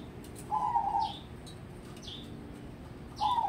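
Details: A crossbred zebra dove kept as a contest prospect sings two quick, warbling, stuttered coo phrases near the start and end, with faint high descending chirps from another bird in between.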